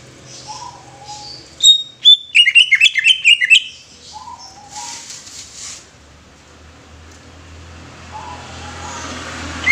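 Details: Greater green leafbird singing: a brief burst of rapid, varied chirps and slurred whistles crowded together, with a few softer low whistled notes before and after, then fading hiss.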